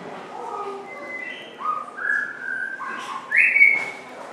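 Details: A male crested oropendola displaying when a female is near, at Blijdorp zoo in Rotterdam, Netherlands, gives liquid, fluty whistles that step up and down in pitch, ending in a louder upward-sliding note; faint background hiss.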